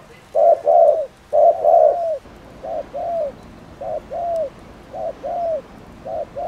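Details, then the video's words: Spotted dove cooing to provoke and excite other doves: low, mellow paired coos, each pair a short note then a longer falling one, repeated about once a second, the later pairs softer, over faint background hiss. "CHIM CU GÁY GÙ ( BO )/ CU GÁY GÙ KÍCH MỒI NÓNG MẶT"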